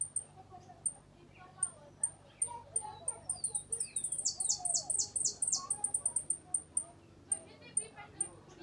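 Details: Uruguayan hooded siskin singing in the repique, golpe and pito style: very high thin whistled notes repeated about four per second, with a dense buzzy trill bursting midway and soft lower chatter beneath.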